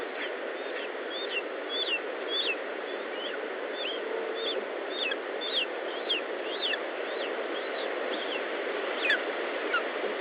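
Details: Lesser spotted eagle at its nest in Estonia, recorded 19 July 2012 at 10:54; a run of thin, high, downslurred yelps, loosely spaced at nearly two per second, over a steady broad hiss.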